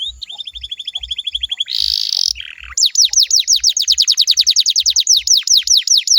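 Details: Canary singing as a lure for other canaries to answer: a thin even trill, a short noisy buzz, then a long series of bright, quickly falling whistled notes, over steady low thumping.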